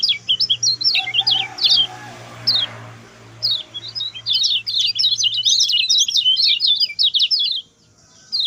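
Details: Song of the lemon-bellied white-eye, played to teach other birds: a few chirps, a pause with a low hum and soft noise, then a long rapid run of high twittering notes.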